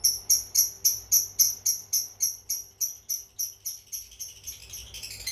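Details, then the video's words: Cobalt mangsi lovebird giving a long ngekek chatter, meant as a tutoring model for other birds: evenly spaced sharp high pulses about four per second, fading toward the end into a denser scratchy burst. "Love Bird Cobal Mangsi Ngekek Panjang Cocok Untuk Masteran"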